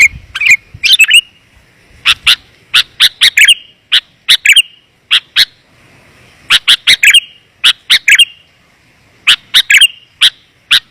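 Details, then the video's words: Sooty-headed bulbul lure call, described as clear and dense, used to draw wild bulbuls down: loud bursts of sharp chirps and short slurred notes, grouped in quick clusters separated by brief pauses. "Suara Pikat Burung Kutilang Rapat dan Jernih"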